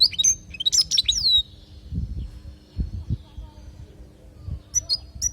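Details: European goldfinch, Palestine, 'lugha' song recorded for tutoring young birds: a quick run of sharp, sliding twitters and a descending liquid note. Then a pause with faint low rumbling, and two brief high chips at the end.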